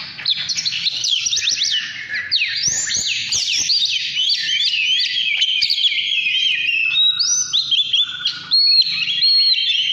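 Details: Oriental magpie-robin in 'căn lửa' form singing a rich, varied run of whistles, slurs and sharp upswept notes, dense and continuous throughout, with brief buzzy trills near the end; no other clear sounds.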